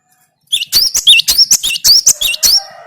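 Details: Cinereous tit (gelatik batu) singing a rapid, loud series of sharp, hooked whistled notes that sweep up and down, about ten bursts in two seconds, following a short silence.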